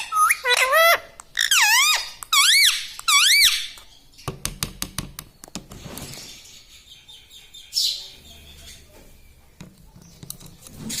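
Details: Pet parrot mimicking human speech indoors: four loud, similar wavy syllables, each dipping and rising in pitch, given about once a second, followed by a series of sharp clicks and a brief rasping noise.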